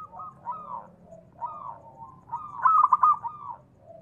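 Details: Zebra dove of a local strain, calling to provoke other doves: two soft swelling coos, then a louder rapid stuttering phrase with a falling tail.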